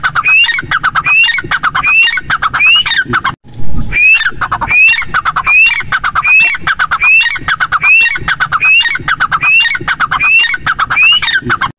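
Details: A grey francolin calls loudly with sharp, rising whistled notes repeated more than once a second in a steady run, with a brief pause midway and harsh, crackly background noise.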